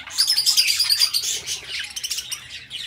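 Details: Pet budgerigars chirping: dense, continuous high chatter of quick squeaky notes and short whistles, overlapping calls from more than one bird, steady throughout.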